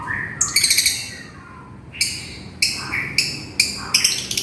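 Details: Lovebird calling to a companion: a rapid stuttering burst of shrill chirps, then loud repeated harsh screeches roughly every half second, some with rising tails.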